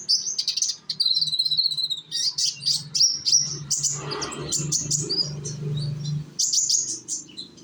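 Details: Young konin sunbird from Indonesia used as a lure to set other birds singing: fast, high, chattering twitters and whistled notes almost without pause, with a droning low hum in the middle.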